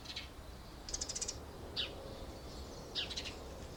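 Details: Pair of Short-toed Treecreepers (Certhia brachydactyla) lining their nest box with pine needles and twigs in Aleppo pine, kermes oak and mastic woodland near citrus groves, Alzira, Valencia, 24 February: thin, very high calls, a burst of about five notes, then scattered piercing single notes over a low rumble.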